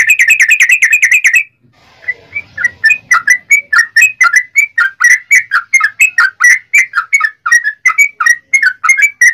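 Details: Yellow-vented bulbul in a long 'ropel' rolling song used as a lure to make other bulbuls sing. Fast bubbly notes repeated in a steady roll, a short break, then a slower run of warbled, slurred phrases.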